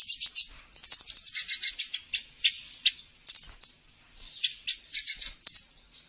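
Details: Sunbird (sogon) master song for stimulating reluctant caged birds to sing. Shrill, high-pitched trilling made of rapid clicking chirps in uneven runs, with a few short silent gaps between phrases.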